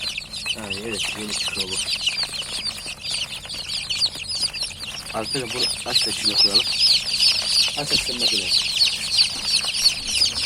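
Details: A crowd of just-hatched chicks calling nonstop: shrill, rapid, overlapping peeps forming a steady high chorus, with short bursts of a man talking underneath at intervals.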